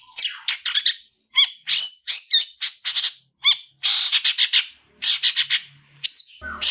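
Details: Tutor song for training cendet, a Long-tailed shrike in 'tarung ngalas' fighting style: quick harsh chirps, looping whistled notes and a dense scratchy burst midway, with short silences between phrases.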